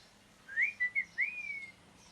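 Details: Parrot chirping: a few short whistled notes, the first ones rising and the last held and gently falling, given in a quick burst of about one second in a quiet room.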